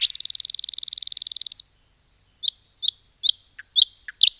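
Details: Nightingale in forest delivering a fast, dense buzzing trill for about a second and a half, then after a pause a series of separate sharp rising chirps with deeper short notes between.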